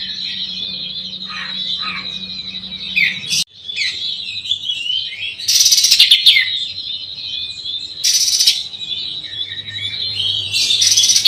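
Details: Oriental magpie-robin (kacer) singing a provocative style said to rile rival birds: a continuous, varied run of high whistles and slurred notes, broken by three loud, harsh, buzzy bursts.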